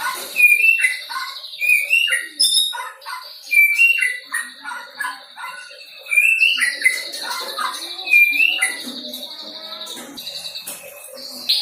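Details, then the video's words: White-rumped shama just past the juvenile stage, learning filler material, gives a long varied song of clear whistled phrases, repeated slurred notes and extended buzzy trills interspersed with high chips. "MURAI BATU PASTOL GACOR BELAJAR BAWA MATERI"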